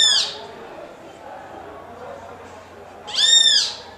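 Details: Great kiskadee calling to another of its species: the tail of one raspy note at the start, then quiet, then a second loud, nasal, buzzy note around three seconds in.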